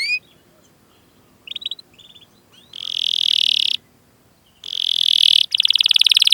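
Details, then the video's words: Canary song as training audio to spur young or silent canaries to sing: scattered chirps over background hiss, then long dense buzzy rolls and a rapid pulsed trill. "Masteran Suara Burung Kenari Gacor Panjang cuit cuit Ngerol untuk Pancingan Kenari!"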